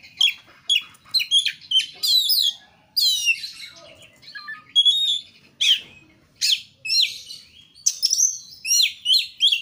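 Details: Kacer, the Oriental magpie-robin, in full energetic song used as a lure to get other birds singing. Dense bursts of high chirps, trills and whistles come in rapid phrases about every second, with very brief gaps.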